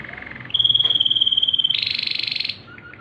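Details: A Waterslager canary in night song holds a long, steady, pure whistle for over a second, then breaks into a loud, rapid, bubbling water-like roll and a few faint closing notes.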